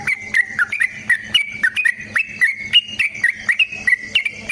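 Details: Sooty-headed bulbul in energetic fighting song, long rapid type, about four or five quick slurred whistled notes per second, steady and unbroken, in a quiet setting.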